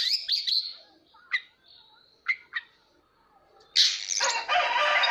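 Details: A caged Oriental magpie-robin sings while fanning its tail in display: a few sweet, high whistled notes separated by pauses, then a loud, harsh, scratchy phrase.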